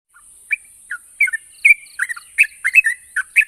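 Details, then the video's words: Yellow-vented bulbul singing, meant to make quiet birds respond: scattered short liquid chirps and whistled notes, sparse at first then quicker, over a constant high-pitched hiss. "Burung trucuk macet bunyi dan mandek pasti nyaut dengar suara burung trucuk ini"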